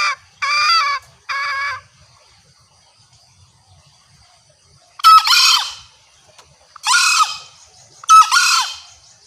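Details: Female green junglefowl lure call meant to bring separated males closer: two short harmonic notes open, then after a quiet gap three louder, rough, broken bursts follow about every one and a half seconds.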